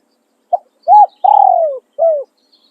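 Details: Spotted dove kept for decoy use, giving its crowing song in the calling and tossing style: a short soft note, a rounded coo, a long descending burred coo, then a final falling coo, clean with no other sounds.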